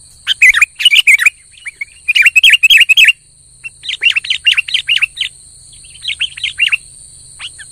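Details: Sooty-headed bulbul in lively full song, bursts of quick, bubbly chirping notes in short rapid runs separated by brief pauses, over a steady high electronic whine.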